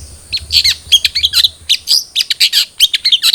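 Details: Dense, fast twittering of a cendet trotol long-tailed shrike, recorded as a lure to make captive shrikes sing: harsh, scratchy high notes tumbling almost without a break.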